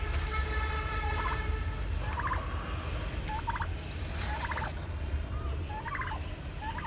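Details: Turkeys on a rooftop farm giving short, rattling gobbles, bursts about every second, over a steady low rumbling hum with faint tonal whine early on.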